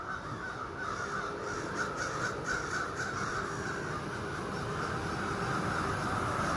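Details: Ravens calling at morning from trees across a street, where more than thirty live; a blurred, distant chorus of fast hoarse caws over steady background noise.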